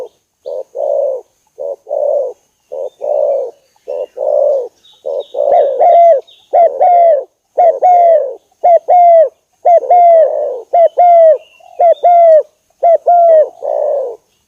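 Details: Spotted dove cooing, used to lure and hunt wild doves for trapping: soft, low, hoarse coos repeated in steady phrases, joined midway by clearer, slurred coos that overlap, suggesting more than one voice.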